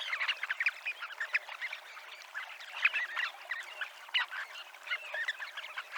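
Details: Dunlin (Calidris alpina) at Abruñeiras, Noia, on the Ría de Noia seafront; steady, overlapping buzzy twitters from a gathering of birds, with a few louder notes at irregular intervals.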